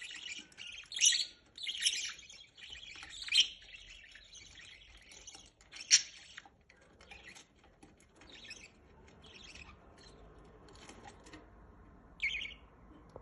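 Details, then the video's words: Budgerigar parents feeding chicks, with scattered high, scratchy chirps and short raspy bursts, loudest in the first six seconds, then quieter and sparser with a final short squeak. "طيور البادجي تطعم صغارها"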